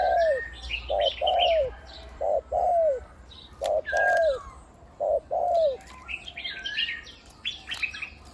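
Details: A big-voiced spotted dove used as a decoy on the ground, on branches and at trap cages. It repeats low coo phrases, each a short note and then a drawn-out downward coo. Busy chirping from other birds fills the second half.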